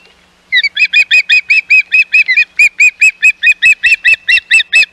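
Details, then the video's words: Osprey calling at the Hog Island nest while intruding ospreys are about, May 2021: loud, strident, repeated piping yelps, around two to three per second in a steady insistent series after a brief quiet start. "Intruding Ospreys"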